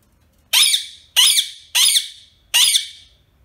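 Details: Four piercing, grating squawks from a pet Indian ringneck parakeet, spaced roughly every 0.6 seconds. Each has an abrupt upward-sweeping onset and a fading raspy tail, with no other sounds behind them.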